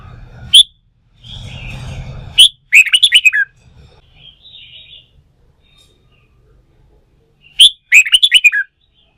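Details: Red-whiskered bulbul, caught from the wild and fired up for song-contest training, gives two loud bursts of rapid chirpy whistled notes, each opening with a sharp note, with quiet warbling and a low rumble between.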